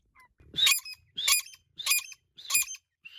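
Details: Partridge known locally as Irani teetar, uttering four loud, grating calls about 0.6 seconds apart, each a broad noisy burst with a faint low thump beneath, ending in a short whistled note.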